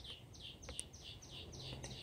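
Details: Mockingbird serenade: a series of short, buzzy, slurred phrases given in quick succession, each repeated a few times. Faint and high-pitched, over a steady low rumble of background noise.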